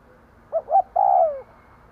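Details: Decoy spotted dove giving one cooing phrase meant to attract wild birds: a pair of quick soft coos and a longer, falling, purring croo lasting about half a second.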